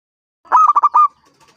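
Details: Local zebra dove of wild origin, aged five, with a big voice, singing to coax other doves into song; one short phrase of rapid resonant coos ending with a longer note, faint sounds after.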